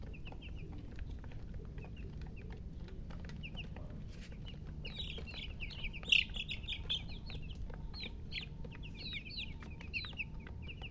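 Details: Young chickens cheeping: sparse high peeps at first, then from midway a busy burst of rapid, descending chirps from several chicks, over faint low background rumble.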